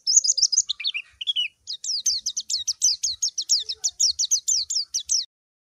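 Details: A white-eye calling a rival opens with warbled, wavering high notes and a few lower slurred ones, then settles into a fast, even run of sharp descending chirps that stops abruptly.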